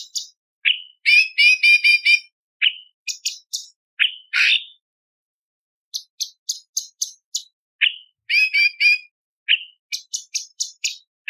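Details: Cucak cungkok delivering a lively 'tembakan' tutor song: repeated upslurred whistles alternating with rapid bursts of bright, chattering notes, with sharp high clicks near the end.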